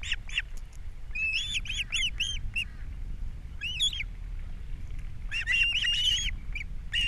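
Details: Osprey at a Captiva nest in April while a fish is delivered and chicks are fed; clusters of piercing, upslurred whistled chirps, some drawn out, in uneven bursts.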